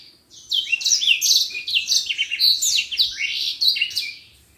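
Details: Common iora, kept as a tutor for other birds, singing a continuous chattering stream of high, slurred whistles and trills for about four seconds before fading out.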